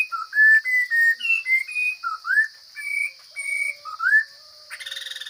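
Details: Chinese hwamei from the forest in full, strong song, with loud, varied whistled phrases, some sliding upward, some held. A short pause comes near the end before a buzzy burst, over a constant high electronic whine.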